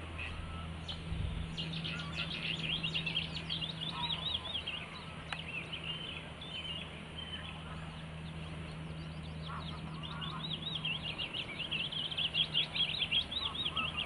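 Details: Willow warbler: two separate phrases of quick, high, liquid whistles, the second louder and more rippling, with a few lower calls between them and a low hum in the background.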